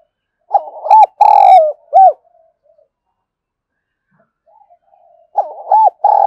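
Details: A lure spotted dove coos to incite wild doves to fight. It gives low, mellow phrases of rounded coos and a drawn-out rough note, with one phrase early on and another starting near the end.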